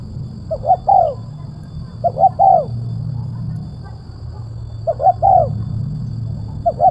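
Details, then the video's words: Spotted dove, kuk 1 style with a tight, sharp voice, repeating a phrase of two quick notes and a longer sliding coo roughly every two seconds, three full phrases plus the start of another, over a low rumble. "TEKUKUR SUARA MERSIK TAJAM,RAPAT //KUK 1//"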